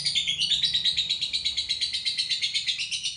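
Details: A lovebird's extended ngekek trill: a dense, high, rattling chatter pulsing rapidly and regularly, about three per second, held without a break across the whole stretch over a faint low hum.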